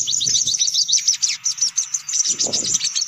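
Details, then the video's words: Lure recording of noisy sunbirds meant to attract others: rapid, crowded high-pitched twitters and sharp chips running continuously, with a few soft low thumps beneath. "Suara Pikat Burung Kolibri Paling Manjur || Sogok Ontong Ribut"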